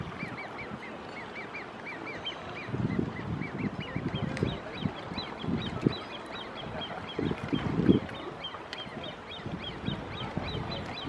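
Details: Young great crested grebe begging to a parent on Lake Geneva at Lausanne: thin, high peeping notes repeated steadily in long series, over rumbling wind or water noise with low thumps.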